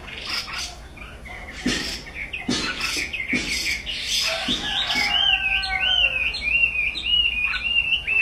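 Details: Chinese hwamei song opening with sharp, scattered clicking notes, then shifting into a smooth series of repeated, looping whistles that rise and fall in a steady rolling pattern.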